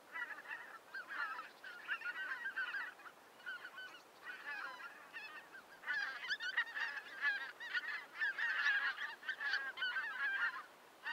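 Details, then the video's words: A flock of greater white-fronted geese (Anser albifrons), winter visitors in Germany, calling in a continuous babble of high, yelping, laughing honks from many birds, rising in intensity toward the end. "Vogelstimmen: Die Blässgans - White front goose - Anser albifrons"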